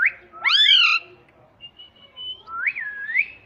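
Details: Pet ringneck parrot that talks and says "Mummy": a loud rising, wavering utterance, soft level whistles, then a swooping two-part whistle to close.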